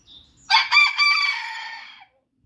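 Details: Booted bantam rooster crowing: a single loud, harsh crow lasting about one and a half seconds, opening with choppy broken notes, then stretching into a long drawn-out tail that fades away. A faint bird chirp comes just before it.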